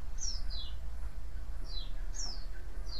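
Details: High white-eye chirps, played to attract other white-eyes to call back: thin descending notes in pairs and singles, with a constant deep background hum.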